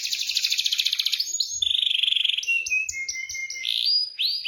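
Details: Canary rolling song used as a lure for canaries that have stopped singing: a fast buzzy high trill, then a lower steady trill, then a series of clear upward-swept whistled notes.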